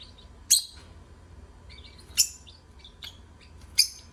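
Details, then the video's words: Lovebirds singing: loud, piercing high chirps repeated irregularly, about every one to two seconds, with soft chattering twitters between them and a faint background hum. "Love Birds Singing"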